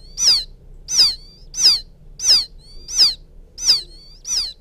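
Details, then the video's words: Chick of a field quail calling to its mother, a lure call: seven loud, high, downward-slurred peeps in an even series roughly every 0.7 seconds, with faint thin whistles between some notes and a low hum beneath. "Suara pikat anak burung puyuh memanggil indukan,suara anak puyuh ladang,puyuh sawah"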